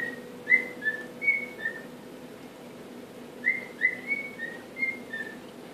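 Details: Male cockatiel kept as a pet learning the Andy Griffith tune; two soft phrases of short clear whistles, rising and falling, separated by a pause, faint room hum underneath.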